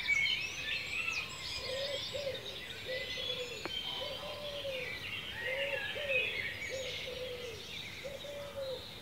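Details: Birds singing in ancient woodland in Cornwall, UK: a busy chorus of high twittering and warbled phrases, under a low, soft, arched note repeated roughly every second like a gentle coo.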